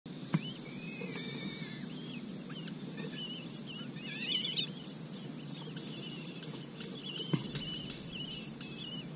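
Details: Four Asian koel chicks being raised in a red-billed blue magpie's nest give high, thin, scratchy begging calls in quick repeated bursts, some overlapping, over a steady hiss of rural background noise.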